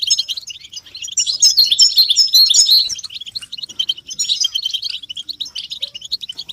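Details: European goldfinches singing together, intended to excite caged males into song and mating readiness; loud dense twittering early on, then steadier rapid chirps and trills continuing throughout.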